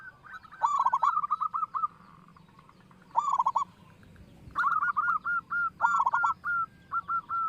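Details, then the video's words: Local zebra dove with a loud voice, used as a lure to make other doves sing: bursts of quick, stuttering cooing notes that run into a string of short, even coos, repeated over and over, with a faint hiss behind. "perkutut lokal suara besar"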